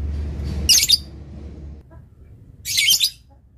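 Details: Lovebird kept as a master tutor bird for its long chatter, giving two harsh, shrill rasping bursts about two seconds apart. A low hum runs underneath.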